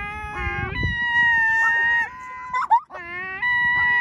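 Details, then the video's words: Cat-like cries from seagulls being fed a doughnut: loud, sustained nasal wails, steady in pitch with slight wavering, broken by a brief sharp squawk before a final long mew. "Seagull’s making weird noises"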